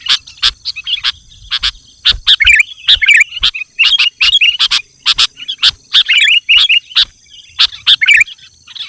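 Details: Sooty-headed bulbul singing energetically to call in wild bulbuls: short bubbly whistled phrases around mid-high pitch, interleaved with many sharp broadband clicks and chips, repeated through the whole stretch.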